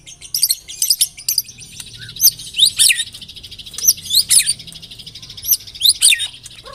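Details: White-rumped shama song from a lure recording for keepers: sharp, high, bouncing whistled phrases in short clusters over a steady faint chatter, with scattered lower notes between phrases.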